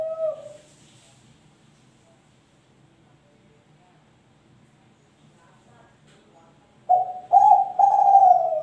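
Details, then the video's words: Three-month-old young spotted dove of a champion bloodline cooing: one soft coo at the start, a long quiet gap, then three louder mellow coos in quick succession near the end. "Suara Tekukur Kelantan Muda Trah Juara | umur 3 Bulan Gacor"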